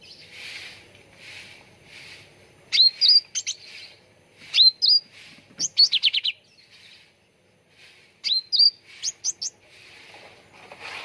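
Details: Ruby-throated bulbul (cucak ranting) recorded as a lure for training birds to sing: bursts of sharp, upward-flicking whistles and rapid chattering note clusters separated by pauses, with faint softer chirping and hiss between phrases.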